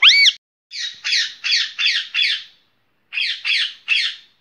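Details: Green rose-ringed parakeet opening with a short rising whistled note, then a run of five harsh, grating screeches, a pause, and three more screeches. The background is quiet.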